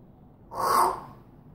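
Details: One harsh, broad squawk from an African grey parrot, lasting about half a second and centred at mid pitch, rising and fading smoothly against a near-silent background.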